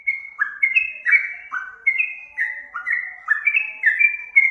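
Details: Rapid liquid whistling from a yellow-vented bulbul used as a lure to make other birds sing, with notes dropping and rising in a bubbly, chattering pattern.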